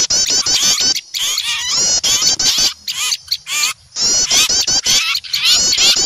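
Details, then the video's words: Many small birds scolding, frightened by an owl: a continuous high, wavering chatter of quick rising and falling notes in long bursts, broken by short pauses near the first, third and fourth seconds. "Suara pikat burung kecil ribut takut melihat burung hantu"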